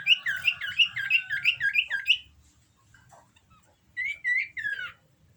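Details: Common iora in breeding condition sings a fast run of bright, looping chirps for about two seconds. After a pause comes a shorter burst of three slurred whistles.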